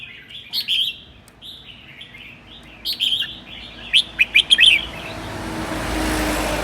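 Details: A red-whiskered bulbul from Sơn La, Vietnam, sings ché-style song on a cold day. Quick whistled phrases build to a tight run of four sharp, emphatic notes, then fade into a soft rushing noise.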